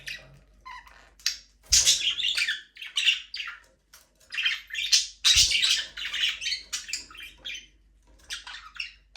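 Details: Aviary budgies call in dense, loud bursts of harsh squawks and twittering chirps, with two sharp clicks and quieter warbling between the louder phrases.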